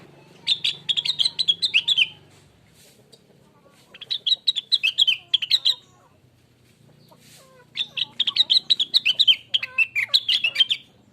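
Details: Blue-winged leafbird (Rengganis, cucak wilis) song used as a lure to prompt other birds to sing: three rapid bursts of sharp chattering chirps, each lasting about two seconds, separated by short pauses, against a faint low hum.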